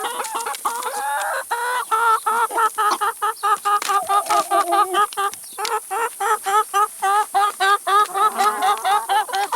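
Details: Several chickens feeding on salad and vegetables keep up a steady run of short, evenly spaced clucks, roughly four to five each second, with a few longer wavering calls early on.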